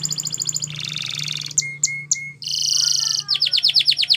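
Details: Spanish Timbrado canary singing for training: bright rattling trills, three short clear whistles, a rolling metallic trill, then evenly spaced swooping notes, over a low steady hum.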